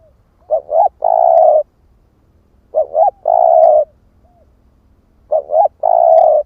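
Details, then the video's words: 'Ức chẻ' spotted dove cooing to lure wild doves: three regular phrases about two and a half seconds apart, each a quick double hoot and a long, low, steady coo, with a faint short note between. "Chim cu gáy ức chẻ thúc kích mồi | Tiếng chim cu gáy kích bổi"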